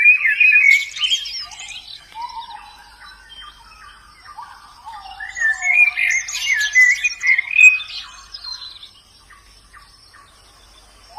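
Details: Wild white-eye song: bursts of rapid high twittering and chattering warbles, a softer lower phrase in between, then a fading pause at the end.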